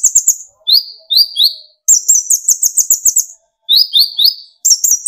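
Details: Lively brown-throated sunbird (kolibri ninja) song for provoking other sunbirds to sing: groups of two or three rising whistled chirps alternating with rapid high, shrill trilled runs, roughly every second or two.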